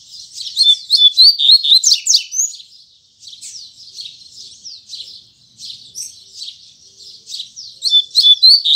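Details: Double-collared seedeater singing strongly in the morning in the 'tui tui zel zel' style: loud rapid whistled twitters, a quieter stretch of buzzy notes, then another loud fast burst.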